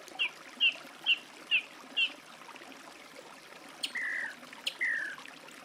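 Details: Song thrush singing five quick, identical short notes in rapid succession, then two longer, falling whistles; fairly distant, with steady watery background noise.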